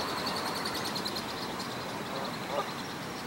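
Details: Canada goose goslings at Dufferin Islands peeping in a thin, high chorus of quick overlapping cheeps, several a second, over steady background hiss and low rumble.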